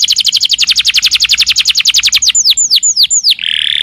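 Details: Canary singing a long 'nembak' song used to stir other canaries: a rapid, high trill of repeated notes, then several slower, sweeping down-slurred whistles, ending in a harsh buzzy rattle.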